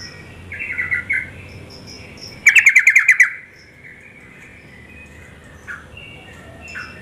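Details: Female yellow-vented bulbul calling to lure males into singing: a loud burst of about seven rapid, even chattering notes, with softer scattered chirps before and after.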